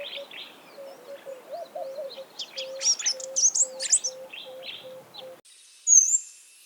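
Sunbird song: quick, high, thin twittering chirps and sharp trills, ending in a bright whistled note, over a faint steady low hum.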